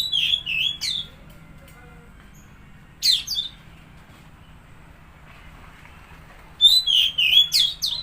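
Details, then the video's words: Oriental magpie-robin song meant to coax a stressed or silent bird into singing: three separate bursts of rich, varied whistles and quick chattering notes, with long quiet gaps and a steady low hum between them. "Pancingan Suara Burung Kacer Macet/Stres"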